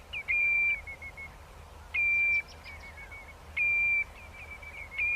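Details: Common redshank calling to its flock: steady, piercing whistled notes held about half a second, each trailing into a softer lower whistle, repeating roughly every one and a half seconds against a constant low rumble and hiss.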